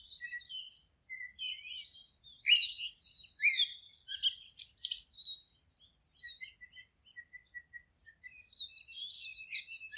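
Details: Forest birdsong from several singers: a nearly continuous mix of high whistles, trills and chirps, with one louder buzzy burst in the middle and thin whistled notes trailing after.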